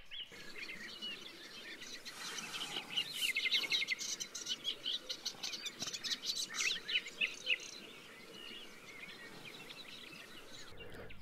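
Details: Eastern olivaceous warbler singing by a small river in a valley at the foot of mountains in Bulgaria, early May: a fast, scratchy, chattering stream of high notes, rising and falling without pause, over a soft outdoor hiss.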